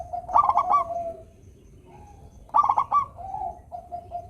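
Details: Song of a local zebra dove for stirring idle doves to sing: two bursts of fast trilled coos about two seconds apart, each trailing into softer level cooing.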